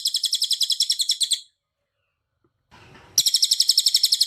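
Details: Cililin song used for training cage birds: rapid, ringing high notes repeated in a steady rattle, a silent pause broken by brief rustling, then the fast bright series resumes loudly.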